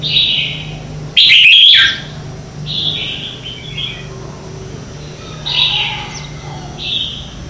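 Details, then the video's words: Red-whiskered bulbul morning song in a competitive singing style, used to train other birds: one loud, rich, chattering whistled burst among several softer, clear whistled phrases repeated every second or two. "Luyện Chào Mào hót sáng hay nhất - To - Rõ - Vang"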